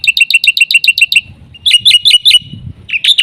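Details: Black-winged myna song for luring and training other mynas: eight quick ringing chirps in a steady burst, a short gap, then harsher, higher buzzy notes, over soft low background noise.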